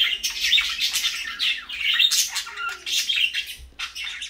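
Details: Pet parakeets calling in the morning indoors: dense, continuous chattering chirps and squawks, scratchy and high-pitched, overlapping in quick bursts throughout, suggesting several birds at once in a small room.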